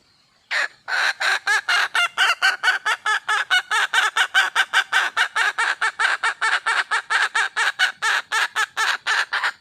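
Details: Calling for a male, a wild red junglefowl hen begins after a short silence, then delivers a long, rapid train of about forty-five harsh, clucking notes, steady and evenly spaced, with nothing else audible.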